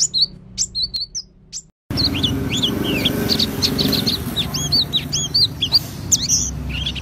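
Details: Oriental white-eye of the auri variety singing gacor in ngriwik style with its fill-in repertoire: high, thin slurred chirps, sparse at first, then after a brief cut a dense run of rising and falling twitters over low background hum.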